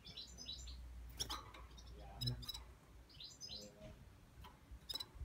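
A Red-fronted Serin sings in quick, high, twittering bursts of chirps, over sharp clicks and a low background rumble.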